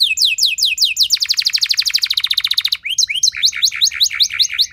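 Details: Canary giving a loud, sustained lure song to stimulate other canaries: quick falling slurred notes open into a fast, dense trill lasting nearly two seconds, followed by varied chirps and rising whistles.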